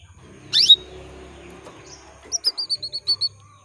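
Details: Female canary calling to males, a lure meant to prompt male canaries to sing: one sharp upward-sweeping note, then a quick run of about eight short high chirps.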